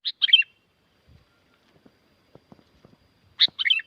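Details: Sooty-headed bulbul from Curug Agung, Subang, West Java, Indonesia, singing lively as a lure for silent birds: two short bubbly phrases, each a sharp high note followed by quick tumbling notes, separated by about three seconds of near silence.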